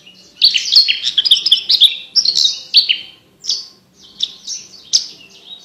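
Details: Javan bush lark with clear crystal-toned song for competition bird training, a varied jumbled run of high whistled and chirped notes, then spaced single sharp notes.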